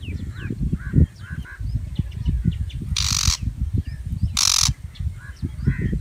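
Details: Two coarse, screeching shrike calls roughly a second and a half apart, preceded and followed by soft chirps from other birds, all over a heavy low rumble.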